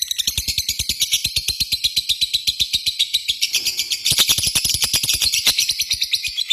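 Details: Long ngekek trill by a lovebird: rapid harsh chattering notes, with a brief scratchy pause partway through before a louder, denser burst resumes the fast trill.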